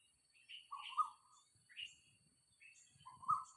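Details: Early-morning Asian koel beside a house, 4 October 2022 about 6:40, with two clear rising mid-pitched calls about two seconds apart and thin higher chirps from other birds in between.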